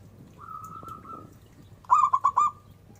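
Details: Local zebra dove lure song. A soft, long drawn coo is followed by a short, loud burst of four quick staccato notes. Low hum in the background.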